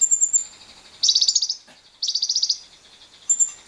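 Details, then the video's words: Lovebird ngekek, a long trill meant to stimulate other lovebirds, mixed with wild birds: two dense buzzy rattles of roughly half a second a second apart, bracketed by brief high whistled notes. "Pancingan JITU Lovebird Bisa Ngekek panjang"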